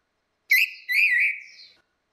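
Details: Orange-headed thrush, female versus male, lure song: a single short whistled phrase, a brief note followed by a longer wavering whistle fading out.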